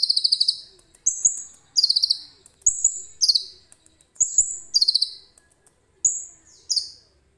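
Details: Prolific common iora song, filled with cililin material and recorded on a phone: very high stuttered trills of several rapid notes alternate with sustained thin whistles, repeating steadily over several seconds in an otherwise quiet setting.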